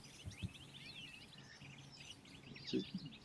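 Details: European goldfinch flight call as it flies over, a fruity, melodic, quick liquid run of bright tinkling notes, faint against a low rumble of background noise with a few dull thumps.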